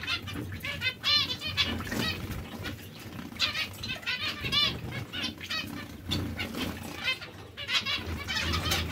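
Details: Zebra finches from breeding pairs give repeated nasal, stacked beeping notes in short clusters, fairly busy throughout, with some low background rumble.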